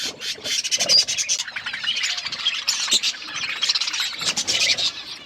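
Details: Several colourful budgies chirping at once, steady high chattering and warbling with quick clicky notes throughout.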